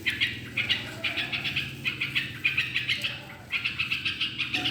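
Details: Yellow-vented bulbul song used to prompt other birds to sing: choppy phrases of bright, quick chirps broken by brief pauses, steadier in the last second, with a faint low hum.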